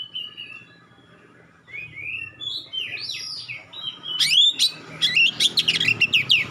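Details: Oriental magpie-robin with sharp, clear song aimed at provoking other magpie-robins; soft, slurred whistles at first, then a loud run of rapid, high chirping notes over a low background hum.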